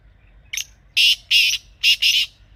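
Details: Black francolin (kala teetar) from Pakistan, recorded in natural surroundings, giving its harsh call: a brief soft lead note, then two pairs of loud, raspy, buzzing notes, with a light low hum underneath.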